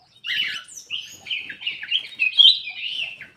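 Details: Black-crested bulbul in an aviary, its song played to stir quiet birds into singing: a continuous, loud, fluty and chattering warble lasting several seconds without a break.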